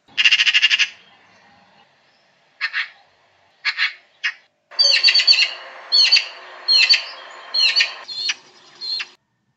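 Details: Eurasian magpie in the UK giving harsh, rattling chatters: a long burst, then shorter bursts and a run of rasping, repeated notes about twice a second.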